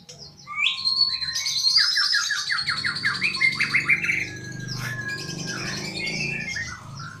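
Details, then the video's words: A magpie-robin's melodious song of fast repeated downslurred notes and high whistles, about three per second, over a low continuous hum. "Kicauan murai merdu sekali"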